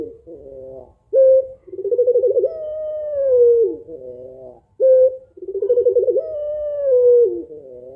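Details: Female spotted dove, pelung type, calling to prompt an idle male to coo; two full low cooing phrases, each a short loud note, a throbbing pulsed run and a long slowly falling coo, with rough buzzy notes between.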